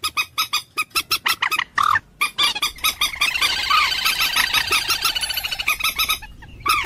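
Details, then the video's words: Common moorhen giving loud, harsh, honking croaks in quick repeated bursts, running into a dense stuttering chatter of overlapping calls. "ডুংকোর পাখির অরিজিনাল ডাক / ডুংখোর পাখির ডাক / জল মুরগী পাখির ডাক / Common Moorhen bird call"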